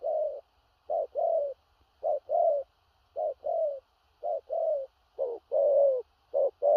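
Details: Spotted dove, a large-bodied bird, giving a deep 'thổ rặc' style coo. Short clipped note followed by a longer, gently falling hoarse coo, the pair repeating roughly once a second against near silence.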